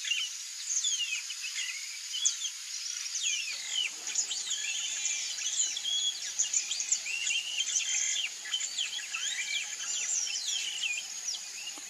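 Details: Yellow-rumped marshbirds (Pseudoleistes guirahuro), sexes alike and living in marshes, give a busy chatter of short, bright chirps and slurred whistles, overlapping as from several birds, over a steady high insect hiss.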